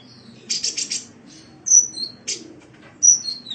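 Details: Kolibri, the Indonesian name for a sunbird, on a cage-bird training recording: a short buzzy high trill followed by thin, piercing whistles dropping slightly in pitch.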